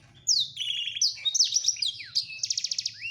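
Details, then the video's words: Male black-throated canary courting a female: jumbled high twittering and sweeping whistles ending in a fast evenly spaced trill, over a faint low hum. "Ocehan Blacstroat Male merayu Burung Female"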